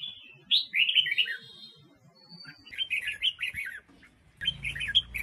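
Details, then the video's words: Female Red-whiskered bulbul, Huế, singing to rouse wild-caught males: two lively phrases of quick, tumbling whistles separated by a quiet gap, with a faint thin tone and some background hiss at the end. "Tiếng Chim Chào Mào Mái Huế Hót ,Kích Chào Mào Bổi Hót"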